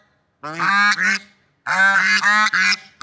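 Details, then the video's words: Two bursts of brassy, nasal swan honking in nature, each a long call followed by a shorter one, separated by a second of silence. "Funny Sounds and Noises of Lovebird Swans in Nature"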